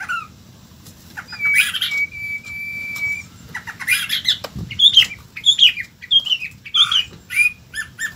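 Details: White-rumped shama giving a long, steady, level whistle after scratchy notes, then lively varied phrases of sharp whistles and quick slurred notes.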